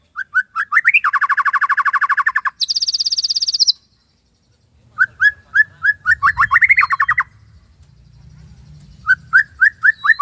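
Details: White-rumped shama master song with Cililin 'tembakan' phrases: rapid buzzy rattles at two pitches, then repeated short rising whistles, with a soft low rumble in the background.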